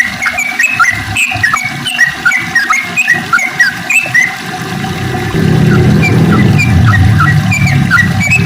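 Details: Morning song of sooty-headed bulbuls played to coax quiet birds into singing: busy chatter of short whistled, bubbly notes from several birds, fading partway as a steady low rushing noise rises.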